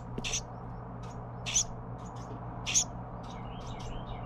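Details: Carolina wren chick being fed by parents, giving three raspy hissing bursts about a second apart, with faint ticking notes and a soft trailing chatter of slurred chirps toward the end.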